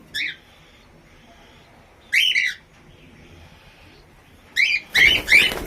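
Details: An albino red-eyed cockatiel gives short, harsh chirping calls in separate bursts, ending with a louder rasping squawk.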